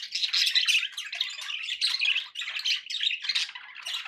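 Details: Pet budgies keep up a dense, high chatter of gritty squawks and quick chirping notes, overlapping voices with little pause throughout.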